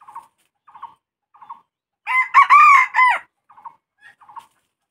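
Red junglefowl: a short, clipped crow of a few harsh, ringing syllables, between soft low clucks that come about every two-thirds of a second.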